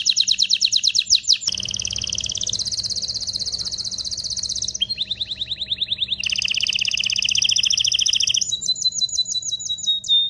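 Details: Canary singing vigorously to stimulate mating: rapid high trills shifting pitch, a lower buzzy rolling passage, more fast trilling and a closing series of sharp whistled notes.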